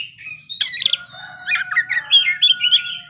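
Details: Oriental magpie-robin (kacer) performing its filler phrases in continuous song: a harsh, noisy burst, then quick chattering notes and clear high whistles, while faint steady tones hold underneath.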